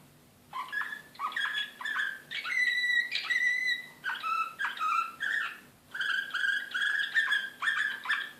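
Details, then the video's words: Belgrade canary of the Serbian slavujar type, 2016, excited, singing varied whistled notes: chirped runs, long bright held tones, then steady repeated level whistles, over a faint hum. "كناري هائج"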